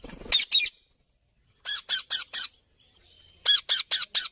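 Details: Hand-fed young sun conure, kept alongside an Indian ringneck parrot, giving harsh, high, raspy squawks in quick bursts of two to four, separated by short silences.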